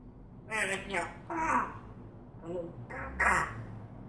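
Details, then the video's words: African grey parrot mimicking speech, producing four or five word-like bursts with voiced harmonic bands, each under half a second, spaced by short gaps in a quiet indoor setting. "The African Grey Parrot talking and whistling"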